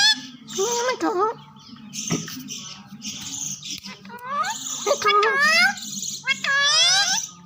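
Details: Green parrots mimic the phrase "Mian Mitho Chori Khao gy": a string of squeaky, voice-like syllables with quick upward and downward sweeps, separated by brief pauses, over a constant low background hum.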